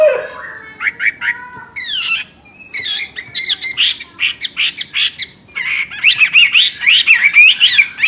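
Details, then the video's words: Chinese hwamei in energetic, crystal-voiced song: varied whistled phrases and downward slurs, then a dense passage of quick chattering notes, and finally bright wavering whistles repeated rapidly. "Burung Hwamei Wambi NGOCEH Istimewa Gacor Suara Cristal Isian special"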